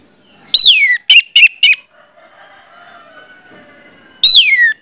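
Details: Orange-headed thrush singing to draw song from other birds of its kind: a loud, falling whistle, three short notes, a quiet stretch with soft background hum, then another long downslurred whistle.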